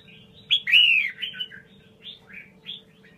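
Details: Red-whiskered bulbul of the 'Mơ' type giving its double-voice song. One strong, rich, slurred whistle is followed by several shorter falling notes. A low steady hum sits underneath.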